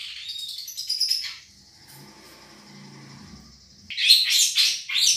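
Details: Long-tailed shrike of the Madura type, recorded as a song tutor: chattering warble, then a quieter pause with a low hum and a thin sustained high tone, then loud scratchy bursts return.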